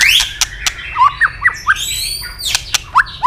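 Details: {'text': 'Fighting song of a white-rumped shama, tail flicking constantly while stimulated to sing; short rising whistles and chirps separated by sharp snapping clicks, uneven phrasing.'}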